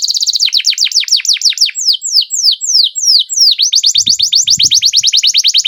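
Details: Canary in full song, long sustained rolling phrase of rapid sweeping whistled notes, some slowing into wider downward slurs before speeding up again, with faint low thumps in the background.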